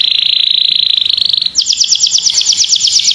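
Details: Caged pet canary singing a masteran tutor song for training other birds. A steady, fast, buzzy rolling trill holds level, then jumps higher into a brighter, pulsing rattle of rapid repeated notes.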